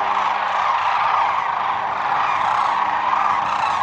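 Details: Sandhill cranes wintering in Arizona's Whitewater Draw Wildlife Area: a crowded chorus of rolling, guttural trumpeting calls pours out continuously, many birds overlapping so no single call stands apart.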